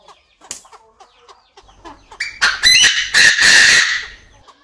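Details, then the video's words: Male Chinese francolin crowing in an aviary, a female clucking nearby. Scattered soft chirps and clucks build into a loud, harsh, rasping phrase of about two seconds, then die back to quiet notes. "Tiếng Chim Đa Đa Gáy, Đa Đa Mái Tục Trong Aviary Mới Nhất, The sound of the partridge crowing"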